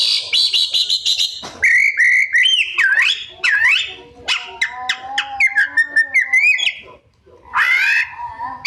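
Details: White-rumped shama in rich 'isian' mimicry song: a run of fast high chips, then looping whistled phrases and clicks over a steady lower tone, ending with a harsh squeal after a brief silence.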